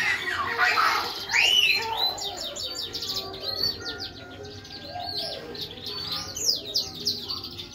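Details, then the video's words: Finch and siskin hybrid mule in energetic full song: fast, varied twittering with bright chirps, trills and a rising whistle, dense high notes tumbling continuously throughout. "FICH HYBRID MULE SISKIN GACOR TEMBAKAN .... SUARA BURUNG MASTERAN"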